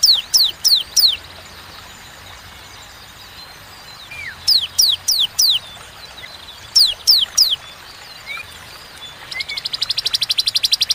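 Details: Bar-winged prinia in spaced 'tembakan' song: groups of three or four sharp downslurred high whistles repeated with pauses, then a fast buzzy trill of rapid notes at the end.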